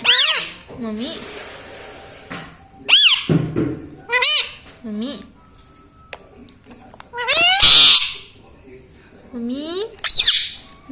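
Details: Indoor pet parrot repeating the word "mummy", spoken as "mami", many times: a series of curved, harmonic, voice-like syllables with varying pitch contours, spread unevenly across the stretch, plus a few soft clicks and rustles.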